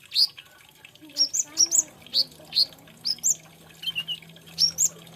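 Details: Singing olive-backed sunbird, known locally as kolibri ninja or konin: clear, high, bouncy chirps repeated about twice a second, each a short upward flick, with a steady faint hum behind.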